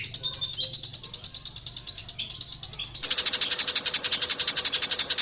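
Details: Long-tailed shrike in its native habitat giving a continuous high, rattling trill of quick pulsed notes, growing louder and denser halfway through.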